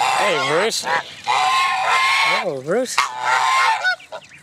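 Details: Canada geese at Jess Ranch Lakes Park on May 23, 2014, where many goose families with goslings gathered, give nasal, wavering honks in quick bursts of two or three over a steady hiss and softer goose chatter.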